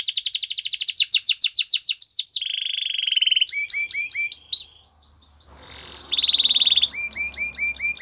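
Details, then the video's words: Canary singing a fast high trill, then a steady lower whistled roll and clipped notes. A brief quiet gap follows, then a buzzy roll and quick notes. "All the canaries will sing along after hearing this canary chirp"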